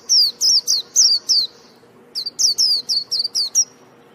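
A white-eye sings two quick bursts of high, thin, down-slurred chirps, five or six notes each, over a faint low hum.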